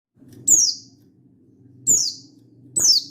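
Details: Buxtoni mountain white-eye singing in lively wild style (gacor ngalas), calling a rival and meant to prompt other white-eyes to sing, recorded 16/8/22: three sharp, very high downslurred chirps spaced irregularly over a low steady hum.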